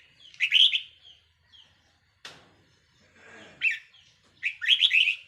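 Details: Red-whiskered bulbul kept as a decoy bird, recorded 4 May 2023: bright, warbling phrases in short bursts, with a sharp click near the middle and a soft, breathy rustle before the final chattering burst.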